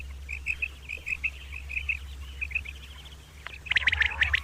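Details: Common quail calling in the morning: a run of quick high three-note phrases, followed near the end by loud harsh rasping bursts, over a low droning hum.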